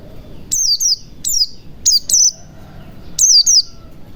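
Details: White-eye lure sound, in forest style, used to coax a silent white-eye into singing: sharp, high, thin notes that slide downward, given in pairs and singly about every second, over a low background hum.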